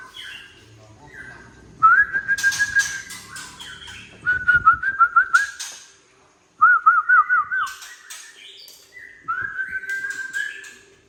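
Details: White-rumped shama of Tangse origin giving harsh 'trek' song meant to provoke young speckled birds; quavering whistled phrases with wavering trills, broken by rough raspy bursts, delivered in separate spells with brief pauses and faint low background hum.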